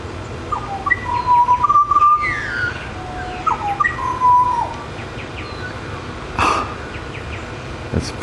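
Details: A male pied butcherbird in Queensland, singing to his mate across the way, gives a run of pure, flute-like whistles, some held and some sliding, in a relaxed melodic phrase, with a couple of brief knocks near the end.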